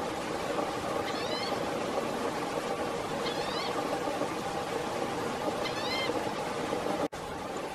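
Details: Green-tailed towhee (Pipilo chlorurus) calling while preening in Blackwood Canyon, Placer County, California, on August 29, 2017: three short, thin, cat-like mewing notes, each rising then slurring down, spaced about two seconds apart over a steady rushing background.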